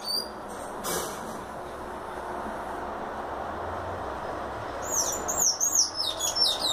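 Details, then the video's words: A Sayaca tanager singing bursts into a rapid run of high, squeaky, slurred notes near the end, over a steady rushing background noise. "SANHAÇO CANTO VIOLINO"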